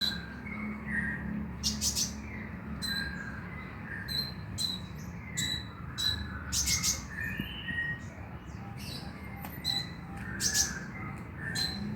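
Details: Brown-throated sunbird (kolibri ninja) lure recording meant to prompt a caged bird to sing at night: bursts of sharp, high chirps and short trills scattered through the clip, with softer lower whistled notes and a steady low background hum.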